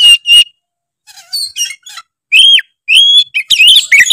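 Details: Loud ngeplong-style song of an oriental magpie-robin that provokes rival birds: clear ringing whistles with bent, slurred notes, then a quick jumble of chirps, in phrases broken by pauses.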